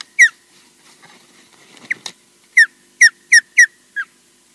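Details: EJ, an osprey at Loch Garten, Scotland, arriving at the nest, gives short, shrill, down-slurred whistled chirps: one, a pause, another, then a quick run of four at about three per second. Faint background rustling.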